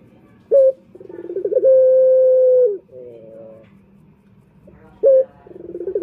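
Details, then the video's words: Male turtle dove coo, played to lure males: brief sharp opening note, a bubbling trill, then a long level coo falling at its close, a quieter quavering tail, and the sequence starting again. "Pancingan Puter Jantan"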